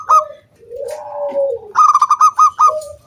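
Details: Local wild zebra dove's singing used to stir other doves into song: a low, drawn-out purring coo, then a quick rattling burst of short ringing notes ending in a sharp coo.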